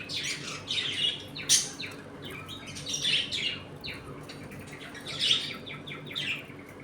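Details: Budgerigars in a home colony, eating and playing, give chirpy warbling chatter with sharp clicks and scratchy notes, several birds calling in irregular bursts.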